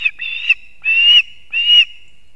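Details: Osprey at a nest in Kurzeme, Latvia, 3 September 2024 at 6:40 am, as the male brings two fish to its chicks: three drawn-out, piercing whistled notes spaced about half a second apart.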